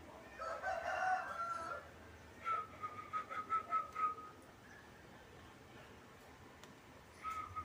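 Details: Zebra dove of a local Indonesian strain, kept in a cage and singing freely: a whistled phrase, then about six rapid, bubbling coo notes on one level pitch, followed by a short single note after a pause.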